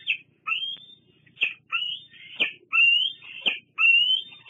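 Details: Repeated squees from a young bald eagle at Fraser Point in August 2022 as a parent lands: piercing upslurred whistles ending in sharp breaks, roughly one per second.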